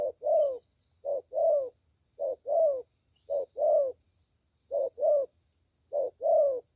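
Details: Good-voiced thổ tơ spotted dove repeating a short coo followed by a fuller, slightly falling coo, six pairs in under seven seconds over quiet background.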